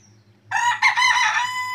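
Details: Chicken crowing on a cloudy morning: after a quiet start, a loud, harmonically rich crow begins and runs in two or three drawn-out, slightly wavering phrases to the end, over a low background hum.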